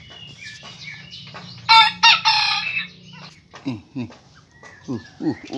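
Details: An 11-month-old Pelung rooster with grown spurs, white legs and a full crop gives a loud, harsh, broken crow, followed by short clucking notes and people talking.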